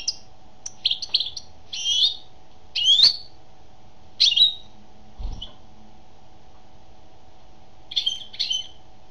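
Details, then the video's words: A female European goldfinch sings bright, tinkling twitters and short liquid trills in bursts, with pauses between phrases; a faint steady hum underneath. "Chant d'une femelle chardonneret"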